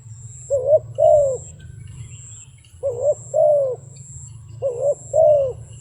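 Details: Wild dove repeats a two-note coo phrase, short then longer, about every two seconds, three phrases in all, over a low steady hum.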